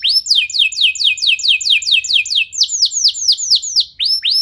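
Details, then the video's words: Fast canary song meant to trigger other canaries into singing, made of steady rows of sharp downslurred whistled notes, several per second, shifting tempo midway and ending in slower sweeping phrases. "Kenari Anda Bisa Gacor Seketika Dengar Pancingan Kenari Nembak Joss Ini"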